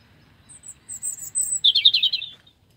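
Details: A European robin sings in a tree at Avenham Park, Preston, in 2019. A short phrase of a few thin, very high drawn-out notes, then a quick, liquid, tumbling warble lower down, over a faint low rumble.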